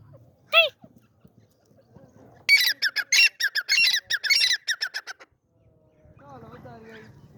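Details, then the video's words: Male grey francolin (teetar) gives a loud, harsh, rapidly repeated series of high, ringing notes lasting about three seconds. A brief squeak comes before it and a low voice-like sound follows. "Teetar Male | Teetar Awaz Sound"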